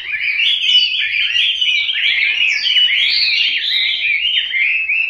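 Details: Hwamei song heard as a loud, continuous, fluid whistled warble with sliding, wavering notes, sustained evenly for the whole stretch.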